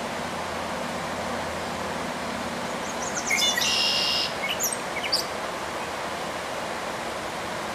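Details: A gray catbird at Dufferin Islands gives a brief jumbled burst of squeaky, scratchy notes over about two seconds, against a steady hiss of background noise, possibly distant traffic.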